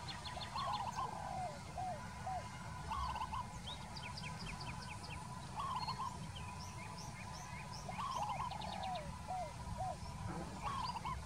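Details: Peaceful dove giving soft trilled cooing phrases of several quick notes that rise then drop, repeated about every two to three seconds, with higher chirping birds in the background and a steady low rumble throughout.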